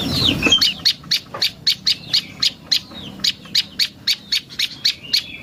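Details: Prinia called prenjak lumut, as a bird lure: opens with a low noisy burst and a twitter, then fast, regular, high-pitched chips with faint thin whistles between them.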